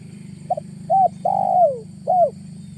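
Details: Spotted dove lure call in August: one full phrase of soft coos, a quick doubled note, an arched coo, a long falling drawn-out coo and a final arched note, with low rumbling hum underneath.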